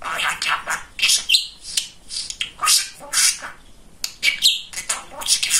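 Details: Talkative pet male budgerigar chattering in bursts of rapid, scratchy syllables mixed with squeaky whistled notes, short pauses between phrases, indoors.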